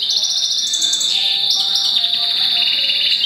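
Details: Dense, continuous high warbling from a goldfinch × canary mule hatched April 2011, with buzzy trilled passages that step up and down in pitch without pause.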